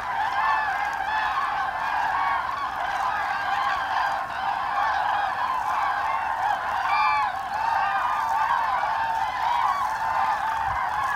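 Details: A flock of common cranes passing on autumn migration along the Lahn valley, Hesse, Germany, 25 October 2021: loud, constant trumpeting from many birds, short rising and falling call notes overlapping throughout.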